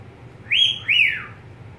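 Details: A pet budgerigar gives a single pair of loud whistles, each rising sharply and then sliding down, with a faint low hum.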